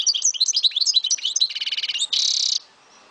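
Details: European goldfinch from Souk Ahras, Algeria, sings a lively phrase of high jumbled twitters, then a rapid rattling trill and a harsh buzzy note lasting half a second.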